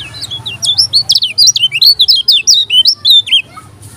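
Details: Lemon-bellied white-eye, known in Lombok as kecial kuning, singing hard. Its wavering, looping high whistles come nearly four per second over a low steady hum, then fade out.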